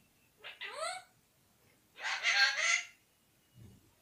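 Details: Whistling talking parrot that says "mithu mithu radhey radhey": a clear upward-gliding whistle, a pause, then a longer throaty, speech-like utterance, followed by a faint low thump.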